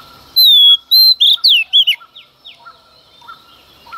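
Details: Female Oriental magpie-robin in early-morning song aimed at provoking males, opening with two long descending whistles, then three fast curling notes, fading into soft scattered chirps and distant downslurred calls.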